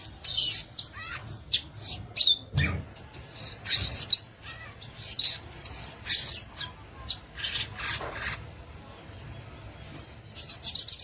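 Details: Violaceous euphonia, called gaturamo-verdadeiro or guriatã, delivering a dense, rapid stream of high, scratchy chattering notes and sharp squeaky chips, nearly continuous for about ten seconds with brief pauses.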